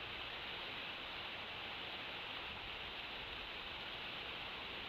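Steady, quiet broadband hiss like static, with no distinct calls or other events.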